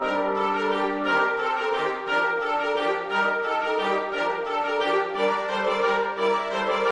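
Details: Orchestral music with brass and strings plays steadily throughout, and no animal sound is heard.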